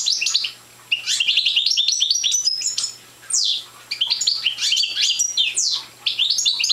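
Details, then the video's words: Young European goldfinch of the parva subspecies, not yet in full song, giving bursts of bright tinkling twitters and buzzy downslurred notes, separated by short pauses, with a faint steady low hum behind. "Young Parva Goldfinch singing"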